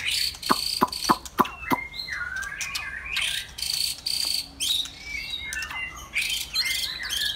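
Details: White-rumped shama on a Saturday afternoon: loud sharp clicks and harsh bursts early on, followed by rich warbled whistles and rising and falling slurs, with stop-start pacing.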